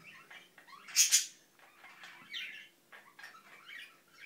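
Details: A pet Indian ringneck parakeet gives a brief mumble: quiet chattering syllables around two loud, harsh bursts close together.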